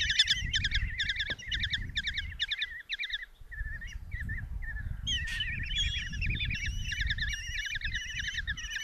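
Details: Begging from five common kestrel chicks in a Hungarian nest box at Tiszalök, 27 June 2024, while their mother brings a mouse; quick ringing note series, a short lull midway, then renewed, overlapping squealing chatter.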